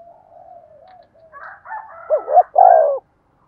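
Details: Decoy spotted dove used to set off other doves' cooing: low soft notes and a higher buzzy warbling call lead into a loud phrase of two quick coos and a long closing coo.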